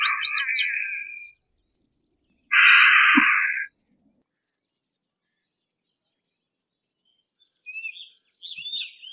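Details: Harris's hawk giving two harsh, rasping, noisy screams, each about a second long with a pause between, followed by silence and then a few faint, thin chirps.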